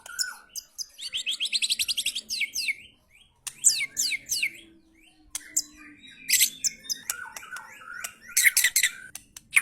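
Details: White-rumped shama giving 'materi kasar' (rough training material) song: rapid runs of sharp, high chirps and trills, bursts of buzzy repeated notes, whistled phrases and squawks separated by short pauses, with a faint low hum beneath.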